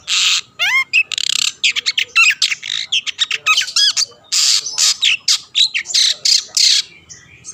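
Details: Long-tailed shrike singing loudly to provoke other shrikes: dense, rapid stream of harsh squawks mixed with looping whistled and rising notes, almost continuous for seven seconds.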